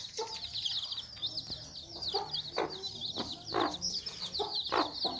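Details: Angry calls of a Sussex mother hen guarding her chicks: a few gruff clucks spaced about a second apart, set against continuous high-pitched chick cheeping.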